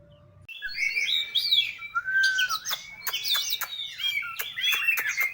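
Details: White-rumped shama singing richly: long sweeping whistles rising and falling, layered with sharp clicks and fast chattering notes, continuous throughout.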